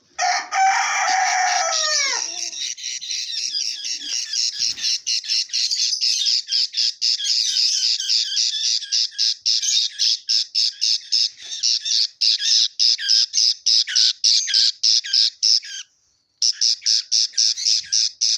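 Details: Red-eyed budgerigars with chicks open with a harsh falling squawk, then keep up rapid, high, scratchy chirps.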